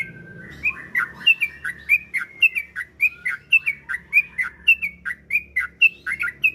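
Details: Yellow-vented bulbul singing, a lure meant to prompt kept bulbuls to answer with long runs: steady, evenly spaced short slurred whistles, roughly two to three per second, over a faint low hum.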